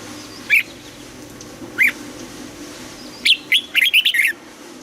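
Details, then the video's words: Red-whiskered bulbul singing in the morning, its song of the old-forest double-note style used for voice training: two lone short notes, then a quick burst of about six warbled, whistled notes. "Luyện giọng cho chào mào hót sáng, ép chào mào hót âm kép già rừng hay tuyệt"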